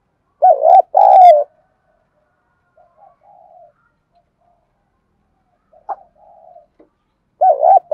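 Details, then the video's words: Spotted dove cooing, Thổ voice, calling and urging (gáy gọi, thúc) with a decoy bird answering. Two loud mellow coo phrases frame quieter, murmured gù notes and a brief soft click. "Tiếng cu gáy giọng đồng Gáy gọi + Thúc + / Nhạy bổi"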